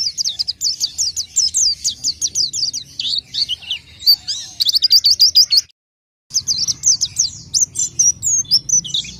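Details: Orange-headed thrush singing energetically, fast high chirping phrases repeated in dense runs, a brief silent gap midway, then the song resumes over a low hum.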